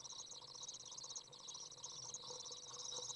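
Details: Young Common Swifts out of the nest on a very warm 30 °C day, 27 June 2011, as a parent arrives to feed; dense, high, buzzy twittering runs nonstop over a faint low hum.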